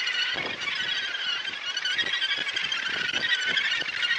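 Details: Crowded breeding colony of Australasian gannets at Muriwai near Auckland, New Zealand, in January 2022, heard from the lookout: many birds giving rasping, chattering calls that merge into a steady, loud din with no pauses.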